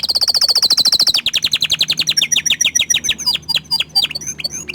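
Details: Orange frost canary in full song: a rapid high trill of repeated notes that drops in pitch, then a fast run of varied chirps and sweeping whistles, loud and continuous.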